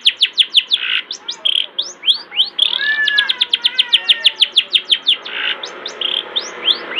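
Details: Master song of the long-tailed shrike to make young shrikes sing sooner; quick rattling series of high chirps mixed with buzzy harsh notes and slurred rising whistles, over a light hiss.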